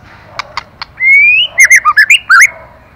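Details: Female white-rumped shama stimulating the male: three soft clicks, then a long, rising, clear whistle, followed by a fast series of five or six rich, warbled notes that jump between pitches.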